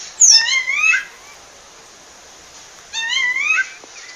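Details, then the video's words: Female rufous-bellied thrush calling a male in the wild in Pernambuco, Brazil: two bursts of stacked, rising whistled notes with harmonics, each about three quarters of a second, separated by two seconds of quiet. "FÊMEA DE SABIA LARANJEIRA CHAMANDO MACHO NA NATUREZA"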